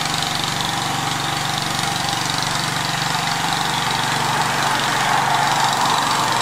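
A steady idling engine rumbles and knocks throughout, with no animal voices.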